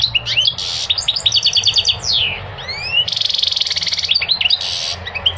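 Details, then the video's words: Bright, fast goldfinch song meant to encourage males to sing and to teach young birds, mixing tinkling twitters, harsh buzzy rattles and rising and falling slurred whistles almost nonstop for five seconds, with a faint low hum beneath. "Singing the goldfinch is amazing song"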